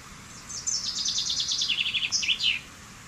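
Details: Common chaffinch (Fringilla coelebs) song: a rapid rattling trill that descends in steps from high to lower pitch, finished with a short emphatic flourish, over a steady hiss of background noise.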